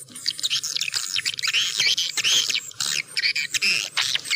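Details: Swiftlets, a clear recording described as suited to all terrain: dense, rapid high twittering chirps and squeaky notes overlapping continuously, with brief gaps, bright and shrill throughout.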